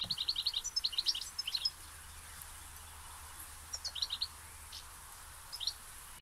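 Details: European goldfinches from a flock of about 60 living in field-edge reeds among willows and old fruit trees rich in thistles, with some greenfinches mixed in, singing in quick, bright, tinkling twittering bursts over a steady rush of background noise.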